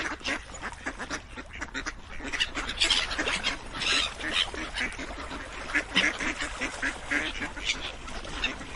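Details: A flock of ducks keeps up a busy chatter of raspy quacks, rising in loudness around the middle, calls tumbling over one another with hardly a pause.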